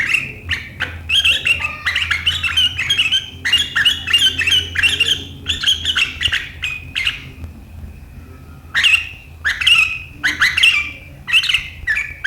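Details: Sooty-headed bulbul in sharp 'riwikan' chattering song that sets rivals singing, 7 April 2023: long runs of rapid harsh chatter, a brief quiet gap, then further loud scratchy bursts, with faint low hum behind.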